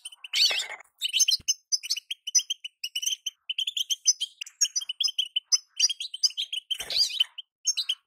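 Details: Female European goldfinch calls, used to prompt a moulting male to sing: rapid, bright, chirping notes repeated almost without pause, each note short and metallic, with a few louder scratchy bursts in between.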